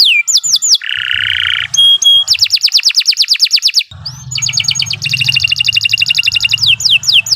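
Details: Canary singing a long, vigorous training song: a varied run of rapid rolling trills, buzzy sustained bursts, and fast repeated high notes, with a faint low hum underneath.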